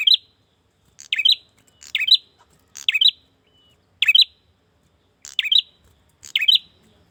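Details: Male bar-winged prinia calling for a female, used as a lure for females and wild birds: a steady series of seven short, high, twittering chirps spaced about a second apart on a clean background.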